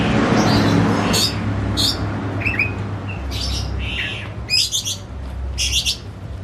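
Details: Household Oriental magpie-robin, agitated and singing. Scattered short chips, brief slurs and high buzzy bursts come at irregular intervals over a loud rushing background noise.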